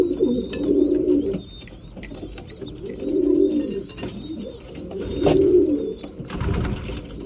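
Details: At mealtime, breeding pigeons coo in three distinct rounded bursts roughly two seconds apart, each a low, warbling rise and fall, with high thin whistles and a thump near the end.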